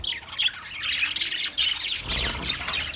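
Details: Budgerigar singing, dense chirping and scratchy warbles packed into the high range, with squawky notes and a brief low rumble near the end.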